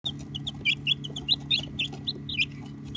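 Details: Baby chicks chirping, recorded on a phone: a steady stream of short high peeping notes, many overlapping, over a constant low hum.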